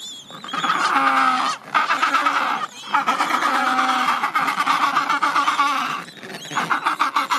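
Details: An Adélie penguin colony at the end of summer, with thousands of birds and young shedding their last chick down before their first swim: harsh, nasal, harmonic braying and squawking calls overlap in a dense, nearly continuous din with only brief lulls.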